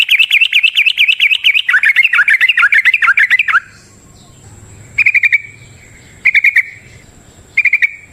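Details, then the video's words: Trucukan (yellow-vented bulbul) singing a long rapid 'ropel' for luring other birds: over three seconds of nonstop wavering chirps, then three brief clipped chirp bursts spaced apart. "Trucukan GACOR ngalas ROPEL PANJANG suara alam AMPUH buat pancingan"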